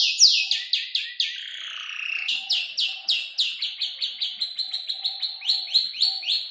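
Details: Canary aged about five months, still composing its song from other birds' voices, pours out varied high sweeping notes, a drawn-out descending slur, then quick irregular chirps.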